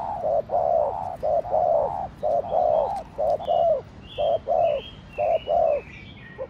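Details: Spotted dove in Thổ Đồng style giving quick rousing coos: a rhythmic series of paired short and long hollow notes, slowing toward the end, while other birds add faint high chirps.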